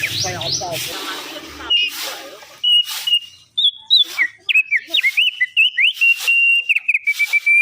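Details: Black-winged starling song opening with a rapid descending chatter over a low hum, then loud harsh rasping bursts alternating with clear whistled slurs and a long steady whistle.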